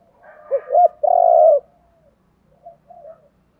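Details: Spotted dove calling to stir wild-caught birds into calling: two quick low coos lead into one long throaty coo that slides downward, followed by faint distant cooing and quiet background.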